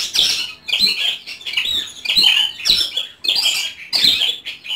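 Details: House-kept white-rumped shama delivering harsh, scratchy high-pitched bursts repeated roughly every half second to second, each a loud buzzy chatter separated by brief pauses.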